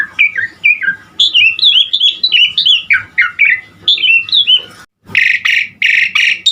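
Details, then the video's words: Asian pied starling in full, lively song with varied fill-ins: a long chain of bright, slurred whistled notes that swoop up and down, then a brief silence and several harsh, buzzy bursts. "Burung Jalak Suren GACOR Isian Variasi Unik"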